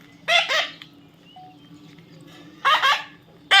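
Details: Baby parrot uttering paired harsh squawks, a quieter gap with a faint short whistle, then another pair and the start of a third call.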